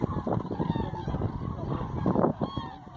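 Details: Common cranes in a large roost flight at Hortobagy National Park on 2 November 2016, in autumn, with tens of thousands present; a dense, continuous chorus of overlapping honking, trumpeting calls over a low rumbling background.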